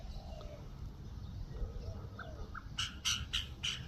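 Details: A common myna in New Zealand gives a few soft chirps, then four harsh, raspy squawks in quick succession, over a steady low rumble.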